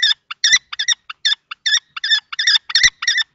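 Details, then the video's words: Two male common kestrels quarrel at a nest box in Théding, 20 March 2024. Quieter, uneven clusters of short, squeaky, high notes, some doubled, with small gaps between them. "Bagarre entre 2 mâles - 20/03/2024 - Les faucons crécerelles de Théding"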